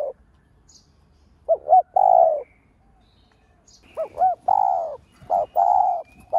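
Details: Spotted dove cooing as a decoy to stimulate other doves: phrases of two short rounded notes followed by a longer, steady mid-pitched coo, repeated three times after a pause, with quiet background.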